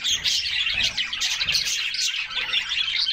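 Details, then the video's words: Summer bath time for a group of canaries: loud, continuous chirps and twittered song notes crowd together without a break, over faint low splashing. "Canaries Singing and Splashing in a Refreshing Bath"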